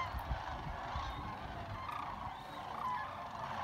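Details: At Jasper-Pulaski Fish and Wildlife Area, massed sandhill cranes keep up a continuous chatter of rolling, croaking trills that blend like distant crowd noise, one clearer call standing out near the end, over a background of low rumble.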